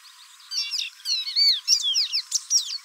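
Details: A Brazilian Pearly-bellied Seedeater (Sporophila pileata) sings a fast, varied run of high whistles, slurred notes and buzzy trills, rising and falling in quick phrases.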